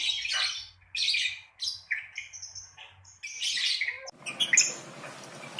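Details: Ngekek chatter of a lovebird, used to prompt beginner lovebirds to sing: loud shrill, scratchy bursts and squeaky chirps alternating with short pauses, then a steadier noisy background.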